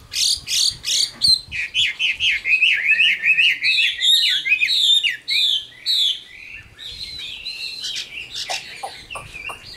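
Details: An old, wild-caught Chinese hwamei sings a loud, varied, almost nonstop stream of rich whistled phrases and slurred trills with quick rising and falling notes.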